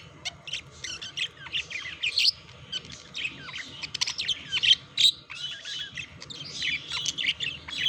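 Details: Budgerigars chattering during courtship and mating: a dense, continuous stream of rapid, squeaky warbled notes, chirps and short whistles, varied and irregular, with occasional louder squawky peaks.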